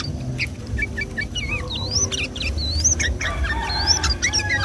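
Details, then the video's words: Yellow-vented bulbul on a Sunday morning, a lure for trapping or training the same species: drawn-out, slurred, wavering whistles and scattered sharp notes above a low steady hum. "suara trucuk gacor ropel di minggu pagi ini paling di cari kicau mania buat pancingan trucuk bahan"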